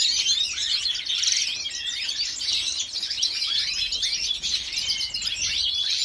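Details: A white-headed mutation female European goldfinch, kept by a breeder in Jordan, delivers a sustained, dense stream of sweet high twitters, slurred whistles and rapid trills, unbroken throughout.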